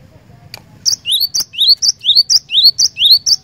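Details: Cinereous tit (glatik batu) in gacor song after one sharp click: a high chirp then an upslurred whistle, paired and repeated steadily about six times, bright and loud against a faint low hum.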